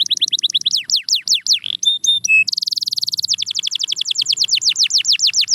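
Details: Canary song for coaxing silent canaries to sing: quick falling whistles, a few pure held notes, a dense buzzy trill, then rapid descending sweeps repeated many times.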